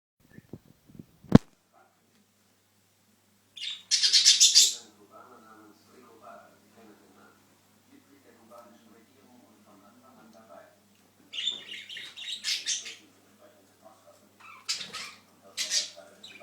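Budgerigars give bursts of harsh, high, scratchy chatter separated by quieter pauses.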